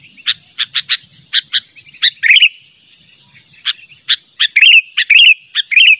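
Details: Natural sooty-headed bulbul call used to lure a rival: irregular sharp chirps, a pause, then several short bubbling warbled phrases mixed with chirps toward the end, over a faint high whine.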